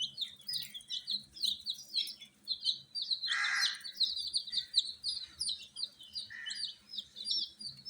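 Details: Baby domestic chicks, coloured and kept warm in captivity, chirp continuously with thin, high, falling peeps packed closely together; one brief rough noisy burst interrupts them early on.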